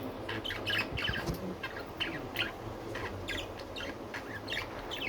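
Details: Pet budgerigars warbling and chattering in quick, scratchy bursts of chirps, fairly busy across the whole stretch, with a steady low hum in the background.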